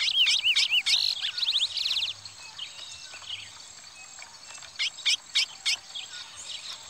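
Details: Two curiós, a Parazão type and a Pardo, in a fight: loud whistled notes sweeping up and down, a rapid buzzy trill, then sharp high repeated chips over a steady hum.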